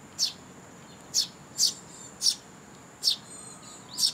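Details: Young sparrows and chicks with their parents coming to be fed at a Tenmangu shrine, 2 July 2022; six sharp, very high chirps spaced roughly half a second to a second apart over a quiet background.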